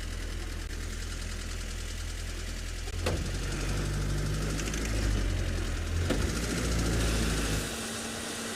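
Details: A vehicle engine idles with a steady low rumble throughout, broken by two brief sharp clicks, with no animal voice heard.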